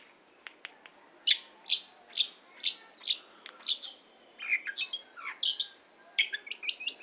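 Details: Long-tailed shrike singing a lively run of chirping and warbled notes, with a few sharp clicks leading into evenly spaced rising-falling phrases, then a rapid chattering flourish near the end.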